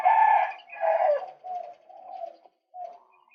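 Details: Harsh croaking calls from a male white-breasted waterhen used as a lure. Two loud rasping bursts open the sequence, then softer, shorter notes trail off with a brief pause.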